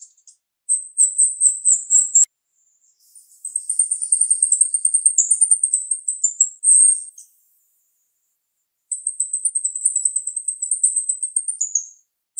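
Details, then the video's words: Female jalak rio-rio (starling) with a sharp voice gives very high, sharp, rapidly pulsed trills in three long bursts separated by silent pauses. "Jalak RIo Rio Betina suara tajam"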